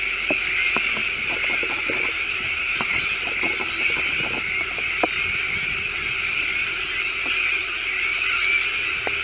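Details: Sandwich tern breeding colony with chicks on a new shell island in De Putten, Netherlands; a thick, continuous wall of harsh screeching calls, dotted with irregular short ticks and knocks.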